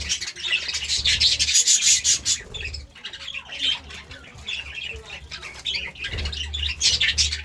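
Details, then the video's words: Morning budgerigar chirping: squawky warbled bursts, loudest at the start and end, softer scattered chatter between, with a low hum in the background. "Budgie Sounds part 33 | A beautiful chirping sound in the morning"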